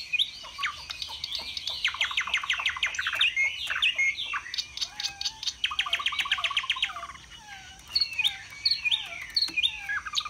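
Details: Chinese hwamei singing in a cage during a sustained display with high song: fast runs of repeated sharp notes mixed with lower whistled slurs, with pauses between bursts.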